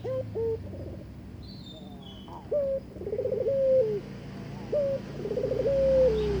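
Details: Barbary dove calling its mate to breed: short upswept notes followed by two rolling, trembling coos with long level-then-falling tails, over a low background rumble and a faint high whistle.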